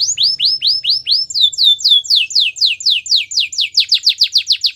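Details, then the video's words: Canary song for training: loud descending whistled slurs repeated steadily, speeding up into a quick run of sharp falling notes near the end. "The most spectacular canary song!!"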